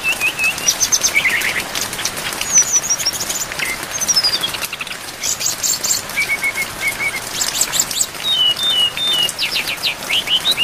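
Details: Brown-chested jungle flycatcher delivering a full song of imitated phrases, recorded for songbird training with rain. Level piping series, falling rattles, thin descending whistles and scratchy bursts cycle steadily over light rain hiss.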